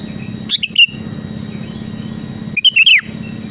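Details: Sooty-headed bulbul singing, used to provoke rivals into singing: two short bursts of bright, rapid chirped and slurred notes about two seconds apart, over a steady low hum.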